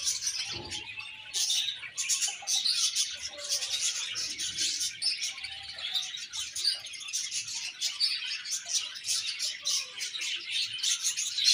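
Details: A joyful budgie colony keeps up dense, even chatter for the whole stretch, countless high tweets and scratchy warbles blending into a steady shimmer.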